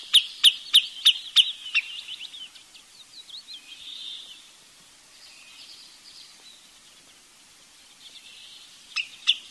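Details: Wood Sandpiper with six sharp, high whistles in quick succession, followed by soft, warbled trills and quiet, then two final clipped notes.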